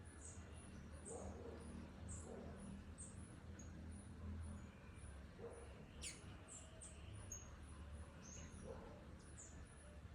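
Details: A female green honeycreeper (Chlorophanes spiza) giving thin, very high chips, one or two every second, over a steady low rumble with occasional faint background sounds.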